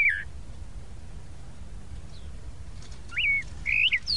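Tropical Mockingbird singing short, slurred whistled phrases that rise and fall, one at the start and two near the end after a long pause, over a low background rumble.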